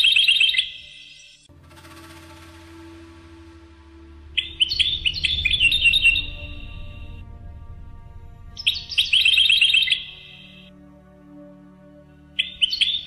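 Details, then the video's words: A captive European goldfinch, recorded in 2013, sings bright, tinkling bursts of twittering notes and buzzy trills, each lasting a second or two and returning every few seconds over a faint low hum. "Chant Chardonneret"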